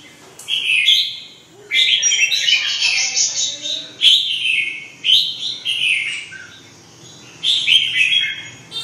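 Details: Red-whiskered bulbul song: lively, loud, slurred whistled phrases in quick succession, some run together, others separated by short gaps, ending after a pause with one more bright phrase. A faint background hum is present.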